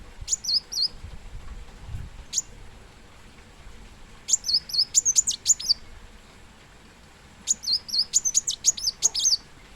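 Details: Plain sunbird (kolibri muncang) singing shrill, high twittering phrases, each a rapid string of about eight to ten sharp, bent notes, separated by a few seconds of near silence.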